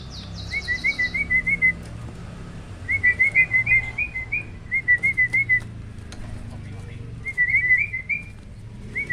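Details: Captive hybrid starling, a cross of Asian pied starling and black-winged starling, singing a loud "roll tembak" style tutor song. Runs of short, clear whistled notes come in bursts of four to eight, with brief pauses between phrases.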